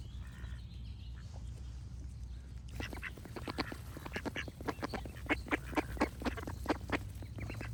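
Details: Duck quacking in a rapid series of short, harsh calls beginning after a quiet opening, repeated irregularly, over a steady low background rumble with birds singing.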